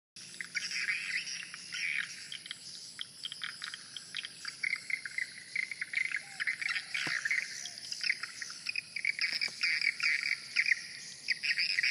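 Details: Many swiftlets, an unusually large number, fly around the main entrance hole of a swiftlet house, giving a dense, busy chatter of high, quick chirps and twitters over one another above a steady, thin, high-pitched hiss.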